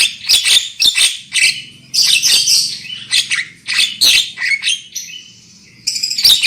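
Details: Black-winged myna lure song, used to get birds singing loudly: a rapid run of rasping chattering notes and sharp clicks, then a drawn-out level whistle and a final harsh burst, with faint low background hum.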